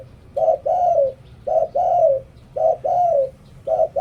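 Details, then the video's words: Decoy spotted dove from Thailand performing the Liw Tan song to attract wild doves. Paired hoots repeat evenly, each a short coo and then a drawn-out coo that sags in pitch. "หลิ่วตัน เสียงต่อนกเขาเสียงชัด"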